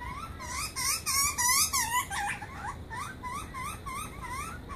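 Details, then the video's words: Butcherbird young being fed by a parent in a back yard near Brisbane, Australia, giving a loud burst of harsh wheezy squeals, then quieter rising squeaks repeated steadily, about three each second. "Feeding butcher birds"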